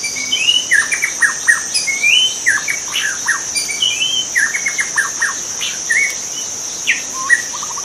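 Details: {'caption': 'White-rumped shama in the wild delivering a lively, varied song of whistles, slurred notes and quick descending note clusters, almost without pause, with a steady high insect hum behind.'}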